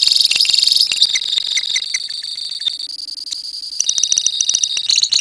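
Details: Colony of lovebirds singing ngekek: dense shrill trills opening, then scattered sharp chips over a steady high buzz, before fast trilling builds again.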